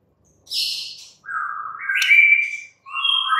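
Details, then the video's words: White-rumped shama: a high buzzy chatter, then clean whistled notes stepping upward in pitch, ending on a rising whistle. "murai batu BISU, STRES, MACET TOTAL bakalan NYAUT GACOR dan Kembali FIGHTER"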